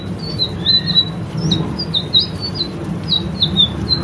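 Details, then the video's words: White-rumped shama from a caged-bird training recording, singing a series of short chirps and slurred whistles against noticeable low rumbling background noise. "masteran burung murai selendang biru gacor"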